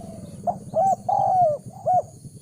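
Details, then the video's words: Spotted dove coos used to lure wild doves and train decoys: a short clipped note, then a long, slightly falling drawn coo and another short note, over a low background rumble. "Chim cu gáy chiêu kích mồi tập bổi nhanh nổi hiệu quả"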